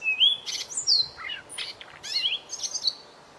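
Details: Small white-rumped shama singing a tutor song for training other birds: a varied phrase of clear rising whistles, slurred falling notes, and brief buzzy bursts and rattles, delivered rapidly over a faint steady background hiss.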